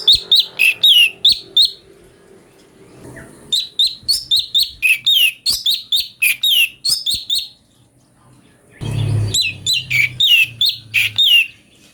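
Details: Ashy bulbul singing in a recording meant to train magpie-robins: fast strings of clear, downslurred whistles and sharp chirps, delivered in three bursts with brief pauses and a low thump between phrases.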